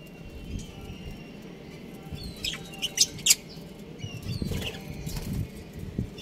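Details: Budgerigars of a breeding pair chirping: a few short warbled notes near the middle, with a brief burst of sharp twittering, over steady low rustling and wing-flapping noise.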